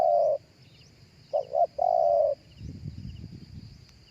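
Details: Live cooing of a spotted dove, used on a speaker to lure doves: a long coo, then two short notes and a long drawn coo. A low rumbling noise follows, with faint high bird chirps.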